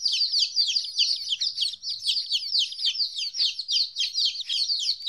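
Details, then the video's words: Chicken chicks 14 days old, away from their mother for the first time, peeping insistently with shrill downslurred notes repeated several times a second, several birds calling together. "Chicks Chirping Sounds - Baby Chicken Sounds"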